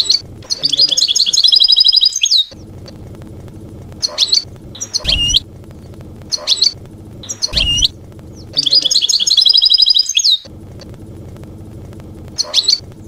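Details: European goldfinch, field-style ('campero') song for educating young birds: long bursts of bright, buzzy trilling twitter alternate with short sharp chirp phrases, with pauses of low steady background hum between them.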